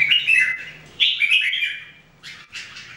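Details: Caged Red-whiskered Bulbuls during daily singing practice, three birds: rolling whistled phrase, a second stronger warble after a second, then short chirpy notes near the end over a low background hum.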